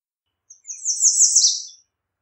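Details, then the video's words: Song of the American redstart: a thin, very high opening note followed by a rapid series of slurred notes that swell in loudness and finish with a lower, buzzier downward flourish. "American Redstart Singing - Candelita Norteña Cantando"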